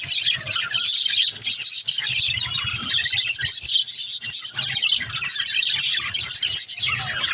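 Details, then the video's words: Continuous warbling and chirping of a group of budgerigars, among them a mother sitting in her nest pot; high, fast, overlapping notes with brief breaks. "Mother budgie in their pot l birds chirping sound"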